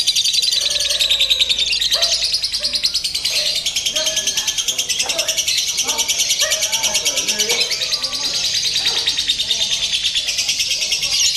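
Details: Simulated lovebird singing competition for mental training: continuous high, scratchy chatter in rapid even pulses, sustained throughout, over a steady background of people talking.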